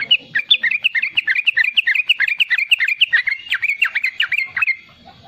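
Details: Vigorous young yellow-vented bulbul in riwikan song, meant as a lure and tutor for young bulbuls: fast, continuous chattering of bright, slurred notes rising and falling, fading out near the end.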